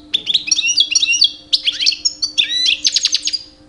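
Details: European goldfinch, two years old, kept in a cage and singing during mating season to attract females: tinkling, varied twitters in short phrases separated by brief gaps, ending in a series of sharp chips.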